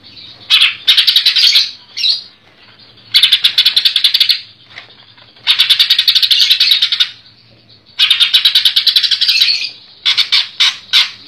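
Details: Captive greater green leafbird (Chloropsis sonnerati) from Comal, Pemalang, singing loud, high bursts of rapid, clipped chattering notes about a second and a half long, separated by short pauses.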